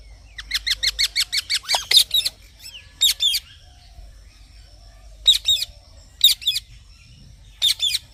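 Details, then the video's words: Green parrot uttering a rapid string of bright repeated chirps, then scattered double squawks spaced a second or more apart in otherwise quiet surroundings. "Green Parrot Chirping Sounds"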